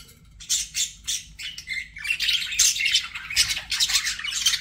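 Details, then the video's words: Pet budgies chattering in rapid, irregular, buzzy chirps and squeaky warbles that run together into a dense stream of chatter. "BUDGIE SOUNDS"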